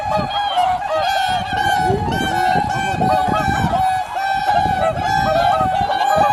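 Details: Flock of swans calling at daybreak on Kotoku-numa, Japan: continuous trumpet-like honks overlapping in a bright chorus, with short nearer calls and light wind noise from the camera's built-in mic.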